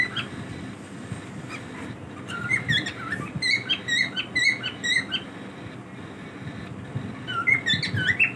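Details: Cockatiels kept as pets, daily routine: repeated short squeaky chirps and rising whistled notes, roughly two per second from about 2 to 5.5 seconds, a pause, then another flurry near the end, over a steady indoor background hum.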